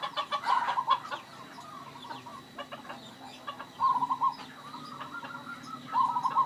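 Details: Local zebra dove, a bird that calls often, with an odd, rare, antique and unique voice: quick stuttering trills of mid-pitched cooing notes repeated three times, separated by quieter chatter from other birds.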